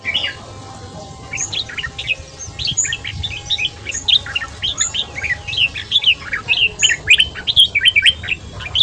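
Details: Morning ché-style song of a red-whiskered bulbul, fast-paced, for voice training and rousing wild-caught birds: a continuous stream of bright chirps and short whistled phrases, about two per second, amid other chattering birds.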